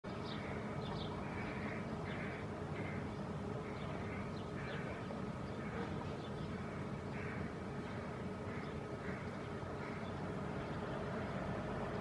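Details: Hooded crow (Corvus cornix) fledgling gives soft, short, harsh, nasal begging calls, one or two each second, while perching with both parents in a shady city maple canopy at midday during a dry heatwave (about 28 °C), nudging a parent's wing; steady low background rumble.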